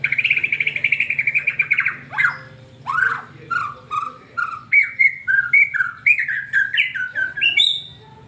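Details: White-rumped shama in 'super speed' song played to make a pet shama sing: a two-second rapid trill, then clear whistled slurs repeated about twice a second, climbing toward higher notes at the end; faint low hum.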